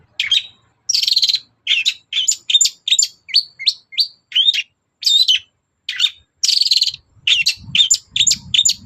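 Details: Long-tailed shrike singing in the morning to provoke other birds into answering; steady sequence of clear, separate phrases, harsh bursts and rising slurred whistles about every half second, with faint low noise near the end.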